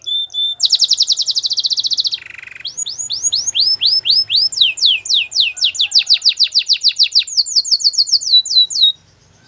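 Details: Belgian singing canary delivering a high rattling trill, a lower buzzy phrase, then long runs of loud swooping whistled notes repeated several times each second.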